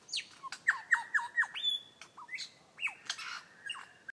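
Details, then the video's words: Beatboxing lyrebird delivering a quick series of down-slurred squawky notes, a thin high whistle, then hooked, bending calls and a final level trill-like note. "Beat Boxing LyreBird"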